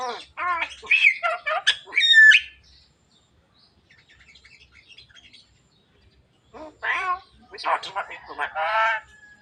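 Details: Javan myna talking until it coughs: a burst of varied harmonic, speech-like notes with rising and falling whistles, then a quiet gap, then more chattering, buzzy phrases.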